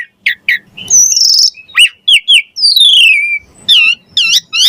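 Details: Energetic Javan pied starling song meant to train other songbirds: short chirps, a buzzy note, loud rising and falling whistled slurs, then a series of repeated arched notes, with faint low background noise.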